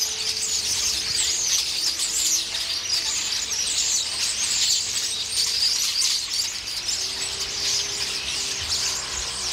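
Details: A loud flock of starlings quarrels over pears in a tree, a scene repeated daily. Dense shrill chattering and whistling throughout, with a faint low tonal hum underneath.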